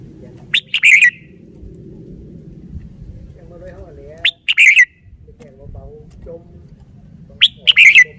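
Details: Red-whiskered bulbul showing its song phrasing: a lively chirped and whistled phrase repeated three times at uneven intervals of about three to four seconds, with soft lower warbles between and a steady low hum.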